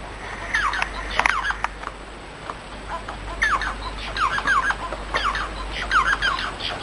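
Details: Bengalese finch singing: bursts of short, buzzy, harmonic notes that sweep downward, delivered in quick chattering phrases separated by brief pauses, over a steady low hum.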